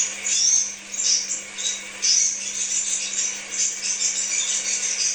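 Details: Crimson sunbird pouring out a rapid, rattling, high-pitched twitter with scratchy chirps, nearly unbroken throughout, over a faint low hum. The recording is used as a lure for kept birds.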